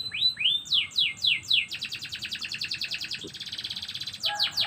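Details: Morning canary song opening with a few rising whistled slurs, then rapid high rolling trills shifting pace, ending with more swooping sweeps.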